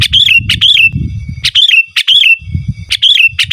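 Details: Lively, pure song of a sooty-headed bulbul with no mimicked inserts, used for calling wild rivals and as a tutor: loud, repeated pairs of cheerful fluty whistled notes, about three phrases, over a steady low rumble.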